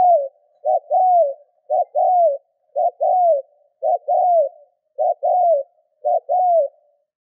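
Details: Spotted dove calling to stimulate other doves to call, giving seven quick, evenly spaced phrases about one per second, each two brief notes leading into a drawn-out falling coo, with no other sounds.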